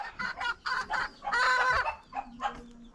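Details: A hen inside a nest box, about to lay an egg, gives a string of nasal clucking notes about two a second, with one longer drawn-out cackle in the middle. This is the egg-laying call.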